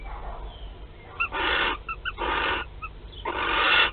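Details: Western barn owl laying its first egg in a nest box at Théding, France, 15 March 2021. Three long, noisy rasping hisses, each close to half a second, are separated by faint short chirps, with a steady low hum beneath.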